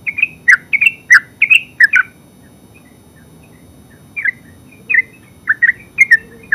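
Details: Terucuk, the yellow-vented bulbul, giving ngeropel song: a two-second cluster of bright gurgling notes, a near-silent gap, then scattered chirps resuming toward the end.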